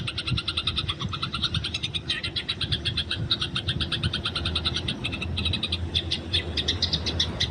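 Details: Eurasian tree sparrows in the open, fighting, recorded for training: a continuous stream of fast, rattling high chirps, with a few louder sharp notes near the end over low background rumble.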